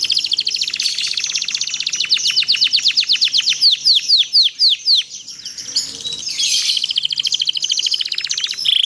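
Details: Long canary song meant to train other canaries to sing: dense high trills, then a run of rhythmic downslurred whistles, a short pause and a renewed rattling trill.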